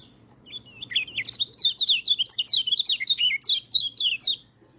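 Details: Fast chattering white-eye song meant to train reluctant singers, a continuous string of high twisting whistled notes rising and falling for nearly four seconds, clear over a quiet background.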